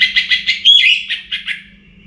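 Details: An orange-headed thrush sings before morning, a fast run of rich, warbled high notes in pulses about every fifth of a second, with one clear whistle in the middle before the phrase fades.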